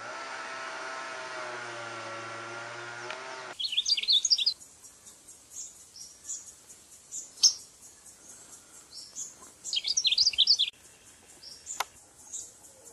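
Glaucous-blue Grosbeak song: short bursts of rapid, high, jumbled warbling notes, repeated several times. A low, steady musical drone is heard at the start.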